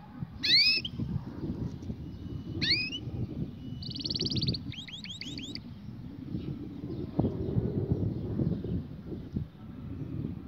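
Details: Canary song in short bursts: two sharp upswept whistled notes, then a buzzy steady trill and a quick run of repeated rising notes, over a constant low rumble of background noise.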